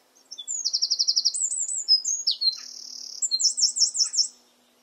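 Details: A Eurasian wren sings in the garden, pouring out a loud, high-pitched song of rapid trilled notes, swooping whistles, a steady buzzing rattle and a final quick repeated flourish, ending abruptly.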